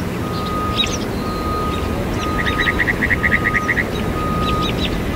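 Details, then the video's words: Northern mockingbird song mimicking other birds; a rapid string of about ten even chips near the middle among scattered short notes, a thin steady tone running through, and low rumbling noise. "Mockingbird mocking birds"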